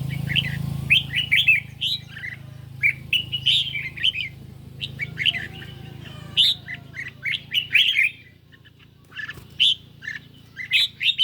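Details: Red-whiskered bulbul in a cage, singing a duel against a phone on a mildly sunny day; rapid runs of bright, chirpy warbling phrases repeated through the clip, with brief pauses and a faint low hum early on.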